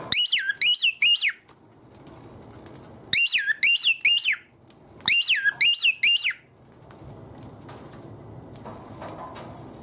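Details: Pet cockatiel at lights-out, clinging to its cage as a cloth is about to cover it and singing because it wants to come out and play. Three bursts of bright, rising-and-falling whistled notes, then quiet room noise.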